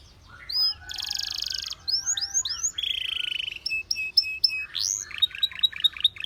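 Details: Belgian canary singing, its song drawing many other canaries to join in; varied phrases of high whistled slurs, a buzzy held note, then a quick series of repeated upswept chirps.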